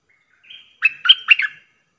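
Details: Streak-eared bulbul lure call used for trapping: a faint thin note, then a burst of three or four quick bubbly chirping notes, clean and loud with no background.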